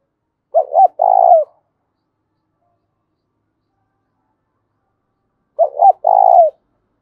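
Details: Spotted dove giving the loud 'thúc bổi' challenge coo used for fighting: two phrases about five seconds apart, each of clipped notes and a long, rough, falling coo, in quiet surroundings.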